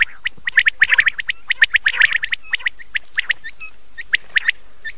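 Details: Night calling of common quail taken from an old cassette; a dense run of rapid sharp high notes that thins out into spaced pairs and singles, with a few brief slurred whistles, over faint tape hiss.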